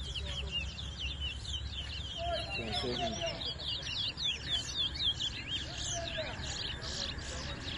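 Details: Bird race at New Amsterdam, Guyana, 2022, in which towa towa seed finches compete in song; a dense run of high, rapid, twittering and warbling phrases carries on without a break over low rumbling background noise.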